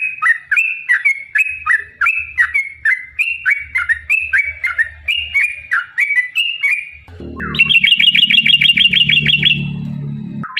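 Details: Yellow-vented bulbul giving a long fighting song meant to provoke other bulbuls into singing: bubbly rising-and-falling phrases about three per second for seven seconds, then a faster, higher rattling trill over rumbling background noise.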